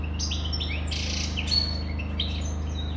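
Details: European goldfinch twittering in a lively burst of bright chirps and a short buzzy trill, notes tumbling quickly one after another over a persistent low hum.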